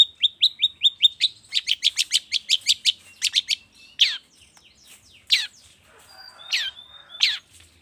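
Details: A steady series of clipped whistled notes speeds into a fast chattering run, then gives way to scattered loud downslurred calls, from a long-tailed shrike lure played in the morning to trigger singing.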